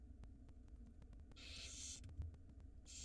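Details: Barn owl chicks begging during feeding time in a nest box in Israel, spring 2022: a long rasping hiss lasting over half a second, then a second hiss starting, low hum throughout.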